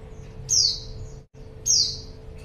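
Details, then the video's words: Female white-eye used as a lure for males: two high, thin, falling slurred calls just over a second apart, each bright at the start and trailing off, over a quiet hum. "pleci betina#buat pancingan pleci jantan"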